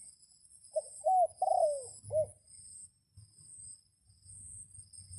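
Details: Single crow from a decoy red junglefowl cock calling wild birds while rain threatens: short note, rising phrase, drawn-out falling note, brisk final syllable, then quiet with a high constant drone and faint low thumps.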